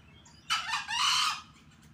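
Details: Green junglefowl being trained beside a rice field near a busy road gives a single rasping crow, a short rough opening note, a tiny gap, then a longer hoarse drawn-out second part, with steady traffic rumble underneath.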